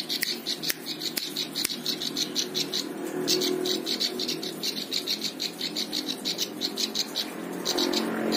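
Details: Prinia used to teach songs to other birds, pouring out a long, even series of high-pitched chirps in quick succession, with a few sharp clicks early on and faint low hum behind.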